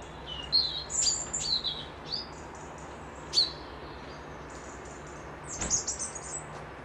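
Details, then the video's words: Birds near a Scottish loch outside Dundee whistle bright, high notes in short slurred phrases. Single sharp chirps follow at uneven intervals, with a final rising, buzzy flourish near the end over quiet ambient hiss. "Birds whistling"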